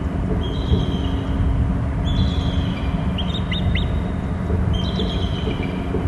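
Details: Eagle flying in from inland to its nest territory on Hornby Island, calling with three bouts of thin, high piping notes and quick downslurred chips, about two seconds apart, over a steady low rumble of wind or traffic.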